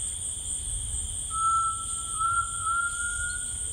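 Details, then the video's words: Rainforest tinamou song: a single sustained clear whistle lasting more than two seconds that creeps slowly upward, set against constant shrill insect buzzing. "The Singing Tinamou Tao"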